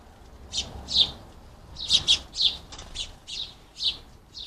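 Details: Lots of hungry house sparrows at a garden bird feeder in the UK give loud, clear chirps, some doubled, repeated every half second or so against quiet surroundings.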